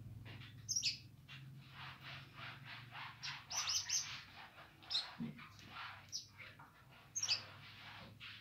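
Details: Streaked spiderhunter singing vigorously: sharp, very high chirps burst out in short clusters near the start, around the middle and toward the end, with harsher buzzy notes between them and a steady low hum underneath.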